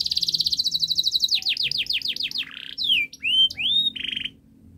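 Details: Canary singing on a recording used to stimulate quiet canaries into song: a rapid high trill, then a run of downward-swept notes, a short harsh burst and several clear whistled slurs before stopping.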